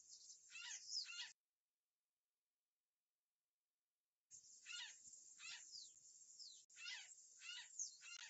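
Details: Azure jay at a live camera site in Brazil, 11 July 2013 at 13:56, heard through a second camera's microphone: a short burst of loud, harsh, rasping calls, about three seconds of silence, then a run of five more grating notes.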